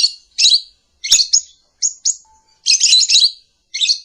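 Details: Lovebird calling in the morning, a master and lure recording: short harsh high chirps and squeaky notes in irregular clusters with brief silences between.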